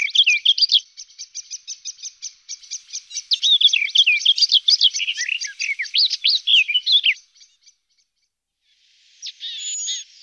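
A garden warbler sings a long, fast, even-flowing warble of mellow chattering notes for about seven seconds, then pauses before starting a fresh phrase.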